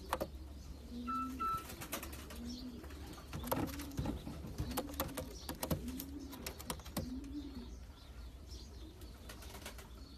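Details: Low, rounded coos from champion racing pigeons of long-distance lines, about six short arched phrases spaced a second apart, mixed with sharp clicks and tapping noises and a constant low drone.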